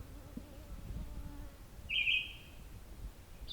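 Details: A single Red-eyed Vireo sings on a morning hike on the Otter Lake Side Trail, Bruce Peninsula, with mosquitoes around. It gives one short, burry, slurred phrase at mid-high pitch and the faint start of another over a low rumble.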